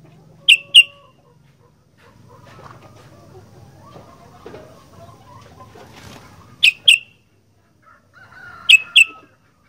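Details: Sooty-headed bulbul, vocal 'fighter' style: three paired bursts of sharp chirps spaced a few seconds apart, with soft mixed chatter and rustling between them.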